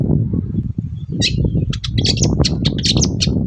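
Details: Long-tailed shrike used as a morning lure to get other shrikes answering: after a second of low hum, a fast run of sharp, scratchy chattering notes fills the rest.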